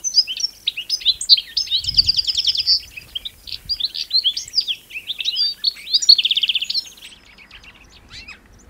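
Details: European goldfinch, also called Distelfink, in fast twittering song: a run of high, liquid chirps and tinkling notes with two buzzy trills near the second and sixth seconds. The song fades out after about seven seconds.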